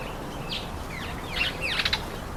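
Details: Speckled mousebirds eating an apple, uttering a few high, downward-slurred chirps that end in a quick, clustered twitter, over light background hiss.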